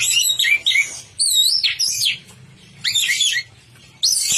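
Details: Orange-headed thrush in vigorous, nonstop song: bright high whistled notes and slurred, sweeping phrases in bursts of about half a second to a second, separated by brief silences, over a faint low background hum.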